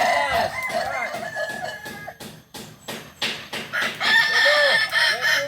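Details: Kukuak Balenggek roosters, ornamental breed native to Solok, West Sumatra, at a practice contest; overlapping stepped crows mixed with sharp clicking or tapping knocks in the middle, crowing swelling again toward the end.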